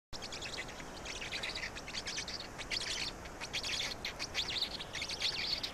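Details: Black storks in Estonia at a nest feeding, 16 May 2019 at 16:58: dense, hoarse, high chirping bursts from chicks, overlapping and uneven, about once a second, over a steady background hiss.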